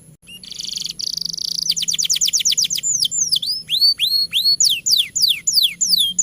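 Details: Canary in full long song, a master recording for prompting young and quiet canaries: opens with a buzzy roll, moves into a rapid descending trill, then slower arched whistled notes.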